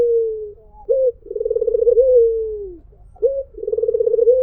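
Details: A white Barbary dove gives its melodious mpuk jeruuu call. A quick sharp note is followed by a long, rolling coo that drifts downward, and the pattern then starts again.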